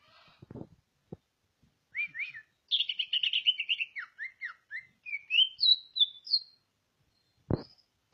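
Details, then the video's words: Greater green leafbird of Ngawi, East Java stock, billed as a vigorous national champion, delivers a varied whistled song of rapid chirps, downslurred notes and rising sweeps at shifting pitches, with a couple of low thumps before and after. "cucak ijo asli ngawi jatim"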